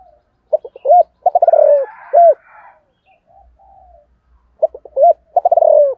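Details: A Spotted dove sings in the 'thổ' style at morning, calling wild doves. Two phrases of brief hooting notes run into a tumbling, falling roll and end on a bright looped coo. Faint birdsong fills the gap.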